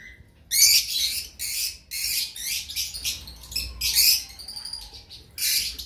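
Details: Two-week-old cream cockatiel chicks give harsh, raspy, hissing begging calls in bursts of about half a second, repeated almost continuously, with a few thin chirps between.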